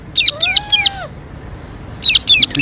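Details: Pet parrot giving loud, angry-sounding chirps, recorded on an iPhone: two bursts of harsh, buzzy squawks with a lower drawn-out whistled tone in the first, a second-long pause, then more rapid squawks while a person repeats the bird's call name.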